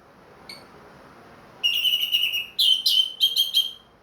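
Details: Captive ringed orange-headed thrush after moulting sings a faint single note, then a long, loud, rolling whistled phrase with stuttering repeated notes, clear and ringing in the 'plong' style.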